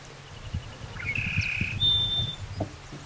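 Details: Scarlet-headed blackbird singing a clear, sustained whistle followed by a higher, purer whistled note, over soft background clatter.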